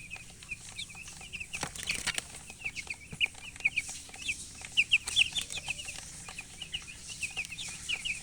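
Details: Colored chickens chirping: a steady chorus of short, high peeps, many overlapping, some brief louder bursts around the middle, with light rustling throughout.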